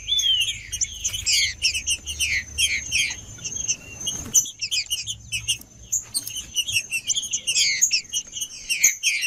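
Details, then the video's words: Singing male green-winged saltator (trinca-ferro macheando) warming up: long stretches of rapid chirps and descending whistles, a brief pause near four seconds with a soft thump, then more dense phrases over a steady high whine. "Trinca-ferro Macheando 🔥 Trinca ferro cantando Para Esquentar Trinca ferro Trinca-ferro Macheando"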